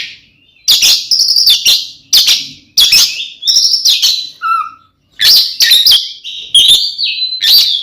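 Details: Kacer, the Oriental magpie-robin, singing aggressive fighting song meant to excite other magpie-robins: harsh chattering bursts and high whistles, a short low clear whistle, a brief silence, then sustained varied whistled phrases.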